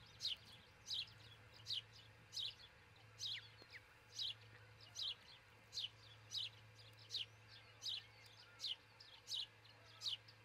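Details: An osprey pair at their Charlo, Montana nest at dawn on 22 June 2018, nest-camera recording: a steady series of high, downslurred chirps, about fourteen in ten seconds, some paired, over a continuous low hum.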